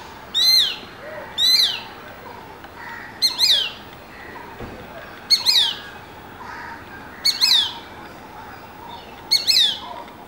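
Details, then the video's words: Juvenile Shikra calling atop a Neem tree, under 10 feet away, giving loud, sharp, high-pitched calls with a rising then falling inflection, roughly every one to two seconds, over soft background hiss. "Juvenile Shikra Call"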